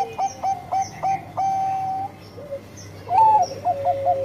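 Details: Bangkok-type zebra dove sings five evenly spaced, clipped notes that lead into one long held coo, then a quicker, trill-like run of bubbling notes.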